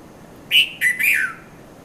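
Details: Early-morning red-vented bulbul, known in Sri Lanka as Konda Kurulla, at Mount Lavinia: a cheerful three-note whistled phrase, the first note bright, the second lower, the third gliding down at the end.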